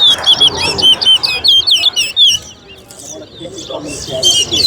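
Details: Towa towa (chestnut-bellied seed finch) singing in a bird race, a song competition between two birds at Alligator Park. Rapid, varied high twittering warbles fill the first two seconds, then quieter chirps, with a voice counting nearby.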